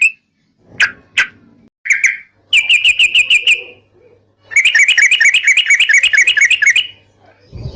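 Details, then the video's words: Song of a sooty-headed bulbul, played as a lure to set other birds singing: a few separate whistled notes, then fast runs of sharp, even, chirping notes repeated several times a second, with short silences between bursts. "PANCINGAN TRUCUKAN GACOR,BIKIN SUARA PIKAT BURUNG TRUCUKAN KAMU,SEKETIKA RAJIN BUNYI BUKA PARUH..!!!"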